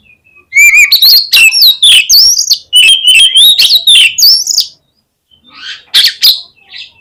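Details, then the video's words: Oriental magpie-robin song used as a lure to set other magpie-robins singing: loud, rapid run of sharp whistles and buzzy trills sliding between high and higher pitches, about four seconds of continuous phrases, a short pause, then two brief bursts. "KACER LANGSUNG PECAH SUARA MENDENGAR PANCINGAN INI !!! KACER LOYO PASTI IKUT GACOR"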